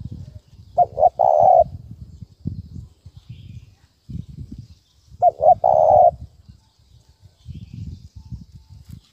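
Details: Spotted dove thúc bổi lure call: two separated phrases of short double coos ending in a longer coo, with persistent low rumbling and knocking noise between them.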